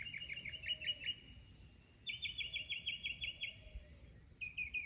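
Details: Mimicking mockingbird in full song, stringing together runs of rapid repeated chips, each phrase type repeated several times before switching to a new, higher or lower pattern; steady low rumble behind.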